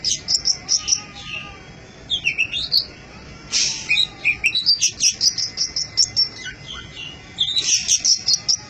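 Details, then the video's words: Training recording of an Oriental magpie-robin singing. Fast runs of sharp, high, ringing notes come in quick bursts, with varied buzzy and whistled phrases between them and brief pauses. "Suara panjingan masteran burung kacer gacor"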